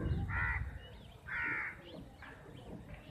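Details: Crows in a big fight over chapati, about fifty birds; two strong hoarse caws are followed by weaker distant calls over low-frequency background noise.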